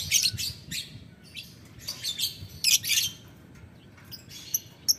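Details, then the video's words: Lovebird calling a rival: clusters of harsh, high, rasping chirps in uneven bursts, louder around the middle, ending in a few thin, sharp single notes. "Lovebird Memanggil Lawan Ngetik Ngekek - Tidak Lama Labet Auto Nyaut Ngetik Ngekek Panjang"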